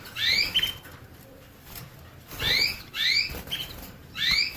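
A canary sings in short bursts of bright, rising, upslurred notes, each burst about half a second long and repeated every second or so, over a soft background hiss.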